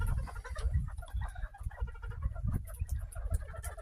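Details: Captive homestead Northern bobwhite quail making their "happy sounds" after being given fresh kale and greens: soft, quick clucking and chattering notes, short and irregular, over a steady low rumble with a little human speech.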